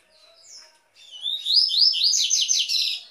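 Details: Coleiro, the double-collared seedeater, in Tui tui song for training captive birds: faint opening notes, then a bright, insistent series of rising buzzy slurs about twice per second.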